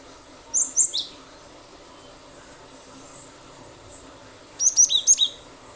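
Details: Lure recording of a cinereous tit (gelatik batu). A pair of high, sharp notes comes first, then a pause of several seconds, then a rapid series of five thin whistled notes.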